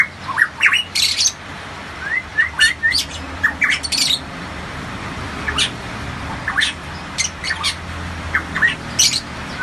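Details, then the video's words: Kept Variable pitohui, endemic to Papua and loud-voiced, in full song: quick runs of short rising whistles mixed with harsh, raspy bursts, phrases coming in clusters across several seconds. "suara asli pitohui gacor"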